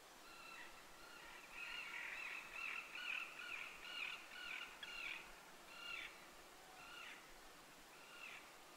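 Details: Common tern (Sterna hirundo) at Kartanogolf, Joroinen, Finland, gives harsh, grating calls, first in a quick run of about two a second, then slowing to single rasping notes about a second apart.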